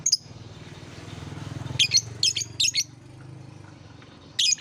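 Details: Lovebird therapy song used to lure lovebirds, especially young birds still learning, into calling: short scattered bursts of shrill, high chirps in brief clusters over a low steady hum.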